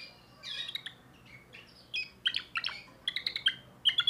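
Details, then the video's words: Young timbrado canary from 2024 with a new song repertoire, heard in broken bursts: a soft start, then short clusters of sharp, bright chirps separated by brief gaps. "le meilleur chant de canari I chant canari timbrado un jeune de2024"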